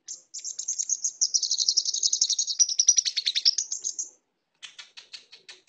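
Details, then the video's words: A brown-throated sunbird sings a very high, thin, rapid twitter, about four notes a second, for four seconds, then a short pause and a few more chirps; used as training song for lovebirds. "Kicauan Burung Kolibri Kelapa"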